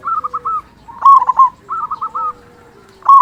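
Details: Local zebra dove kept for prompting silent zebra doves to sing: soft, rapid rolling coo phrases frame one loud stuttering coo burst in the middle. A further loud burst begins at the very end.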